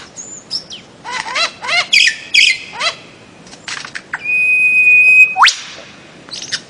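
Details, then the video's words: Bird-of-paradise song: a series of quick sweeping chips and downslurred notes, then a long steady high whistle ending in a sharp upward sweep, with a few last chips. "kicau burung cendrawasih"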